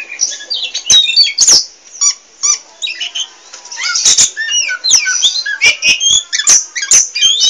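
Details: Chattering, nonstop song of a kept Oriental magpie-robin, mixing quick whistled slurs, upward-flicking notes and scratchy phrases in dense bursts, with frequent sharp clicks and short gaps between phrase groups.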